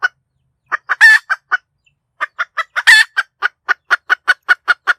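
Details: Cackling hen, offered as a clear sound for decoy trapping: clipped clucks broken by two long, raucous squawks, then an accelerating run of about a dozen evenly spaced short clucks.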